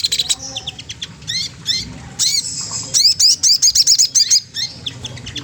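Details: Magpie-robin, sogon trotol, teasing a rival with song: scattered high chirps and upslurred whistles, then a fast run of about eight bright repeated notes, fading to sparse calls.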